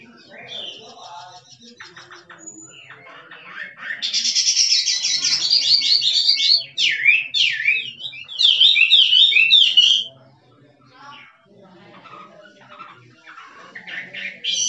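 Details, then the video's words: Wild Chinese hwamei, 'drumming' song: scattered soft notes, then a loud burst of rapid buzzy trills and sharp zigzag whistles lasting several seconds, a pause, and quieter notes resuming; low background hum. "Chim họa mi rừng kích trống hót cực đỉnh nghe đã tai"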